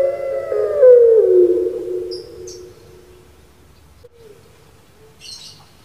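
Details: Turtle dove of the puter pelung variety, kept in Java, Indonesia: a single long coo sliding downward and trailing off into a faint, quiet tone, with a few soft high chirps from other birds.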